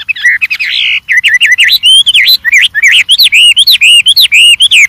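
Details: Energetic, varied song of a wild white-rumped shama: a rapid chain of bright, looping whistled notes that swing up and down, densely packed and continuous.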